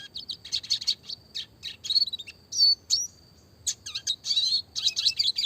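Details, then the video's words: Red siskin, classic lively song in clear voice, rolling and shooting 'roll tembak' style for training small songbirds: almost unbroken high twittering with buzzy trills and short sweeping whistles. "burung red siskin klasik gacor suara jernih masteran burung kecil variasi roll tembak"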